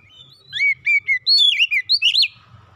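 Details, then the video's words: A captive Oriental magpie-robin sings a quick run of bright, clear whistled notes, some slurred and rising, about seven phrases in under two seconds, in a quiet setting. The song is used to prompt a house-kept bird to sing. "kicauan indah memancing suara Kacer rumahan ikut gacor"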